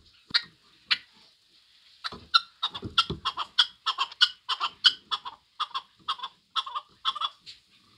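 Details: Chukar partridge: two or three spaced clucks at first, then a quickening run of harsh chuk notes about two per second, with brief low knocking sounds near the start.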